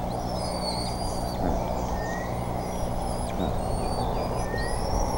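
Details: Bald eagles at the Decorah nest, 28 May 2014, fish delivered; repeated high piping whistles in long drawn strands, some slightly rising, continue throughout above a persistent low hum.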